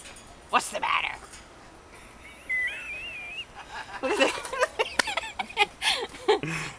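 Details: A friendly pet cockatoo in a garden in Key West talks in short, raspy, speech-like phrases ("What's the matter?"), with a thin rising whistle before them, while a person coaxes it nearby.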